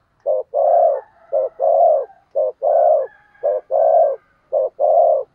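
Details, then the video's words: Spotted dove used as a decoy, cooing in the thúc gù style to stir wild doves to answer: paired short-then-long hollow coos, repeated about every second. "Tiếng Chim Cu Mồi THÚC GÙ Bổi Nghe Ức Chế Gáy Theo Cả ngày"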